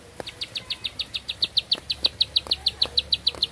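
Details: Long-breathed song of a bar-winged prinia, a steady string of bright, high, ticking notes, roughly five per second, growing slightly louder through the run; occasional soft clicks behind.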